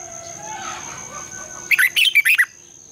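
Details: Lure song of a red-whiskered bulbul for morning training, intended to stimulate singing and song contests: after a soft, hazy start, a lively burst of about five loud, fluttering warbled notes in quick succession, then quiet hum.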